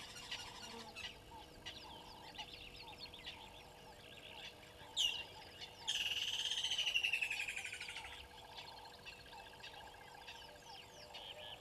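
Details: Water thick-knee at Gowrie dam waterhole, Djuma Game Reserve, Sabi Sand Wildtuin, South Africa, 25 December 2021 around 09:09, with waterbucks nearby. A sharp note is followed by a long pulsed whistled series that slowly falls in pitch, over a steady repeated background chorus.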